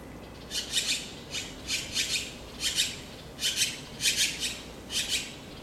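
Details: Taiwan blue magpie in spring 2013 during nesting and chick rearing, including guarding a fledgling fallen under the tree; about eight coarse, scratchy rasps, mostly in doubled pairs, spaced unevenly over a few seconds against a quiet background.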